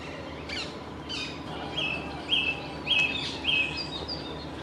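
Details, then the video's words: A song thrush singing from a treetop beside the Peter Pan statue in the leaf yard repeats one clear, high phrase four times about every half second, after a couple of scratchy opening notes, over soft hiss. "Song Thrush singing"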